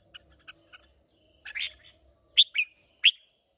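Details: Caged wild-type red-whiskered bulbul from Hoà Bình, Vietnam, singing in a contest: a few faint short notes, then three loud bright slurred phrases near the end, with a steady high tone throughout.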